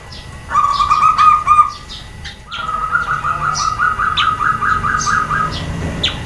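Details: Female zebra dove calls to make males and other doves reply: a short trill, a pause, then a longer beaded coo trill, while other birds chirp thinly and repeatedly in the background.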